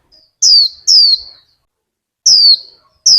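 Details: Vietnamese cage-kept female warbling white-eye urging a male into song with piercing high notes that slide downward, two in quick succession, a pause, then two more.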